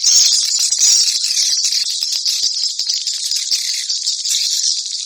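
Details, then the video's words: Swallow calls in the style called batara guru: a dense, continuous high chittering of many rapid, overlapping chirps and clicks, steady and busy throughout with no other sounds. "ang pinakamagandang swallow call sound, batara guru"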